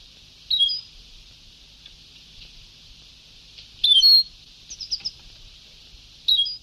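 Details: Sebtaoui-style European goldfinch song from an old recording: a short bright phrase, then a louder twittering burst with a few quick trailing chirps, and another phrase at the end, all over tape hiss.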